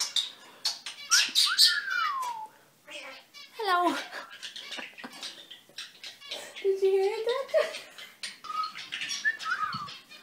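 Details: Pet common starling under a year old, indoors and learning to talk: a rambling run of clicks, rattles and whistles, with drawn-out falling and wavering meow-like notes mixed in, which may be tries at 'hello' or 'meow'.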